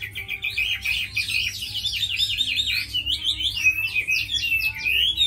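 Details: Caged tame Chinese hwamei, said to fight well and sing well, pouring out a continuous stream of rapid, wavering whistled notes with looping up-and-down slurs throughout.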